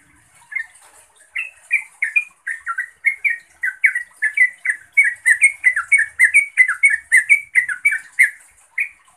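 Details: Yellow-vented bulbul calling out to a rival or companion. Quiet at first, then bright bubbly chirps build into a dense, lively run of rising and falling notes, each paired with a thin high tick.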